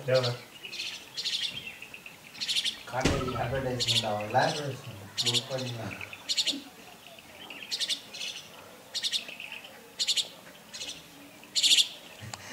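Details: A juvenile jungle myna at Kodaikanal gives short, sharp, high chirps, repeated about twice a second, with a brief stretch of human voice in the middle.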